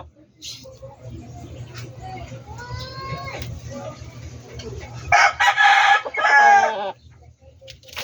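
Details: Backyard chickens: faint clucking and a soft cackle at first, then one loud, strained rooster crow lasting about two seconds.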